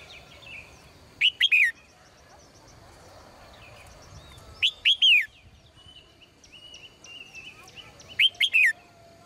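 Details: Female bird in a cage during the morning, giving loud clipped chirp clusters of three quick notes roughly every three to four seconds; softer distant twitters and steady background hiss fill the gaps.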